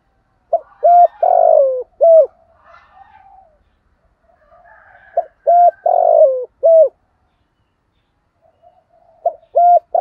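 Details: Cooing spotted dove meant to excite and lure males: repeated phrases of two short hollow notes, a longer sliding coo and a final short note. Three phrases about four seconds apart, with faint soft chatter in the gaps.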